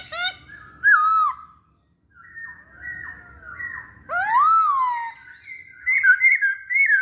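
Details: Masked laughingthrush song of varied whistled phrases: a sharp drooping note, soft level whistles after a pause, a loud rising swoop, then quick warbled notes at the end.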